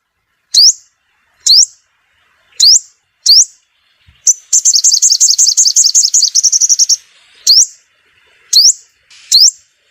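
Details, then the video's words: Sunbird lure call used to attract wild birds for trapping: sharp, high upswept notes repeated at uneven intervals, broken by a fast rattling trill of about a dozen high notes in the middle. "Tiếng chim hút mật mồi gọi bổi"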